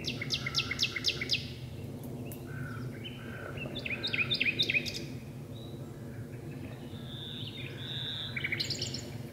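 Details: Two nightingales sing at dusk from deep inside birch bushes. Rich, varied song: rapid repeated clicking notes, slurred whistles and fast trills changing every second or two, over steady low background noise.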